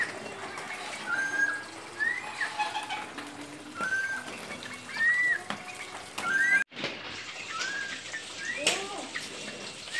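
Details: Papuan friarbird (koak Papua), which lacks the casque of the eastern form, gives short whistled notes that rise or arch, about one every second or two, over steady background noise, with a sharp knock midway.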